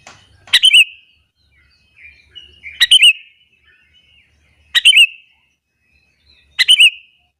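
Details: Sooty-headed bulbul calling in the morning to provoke other bulbuls: short bubbly two-part phrases with a sharp click, repeated four times about every two seconds over quiet background.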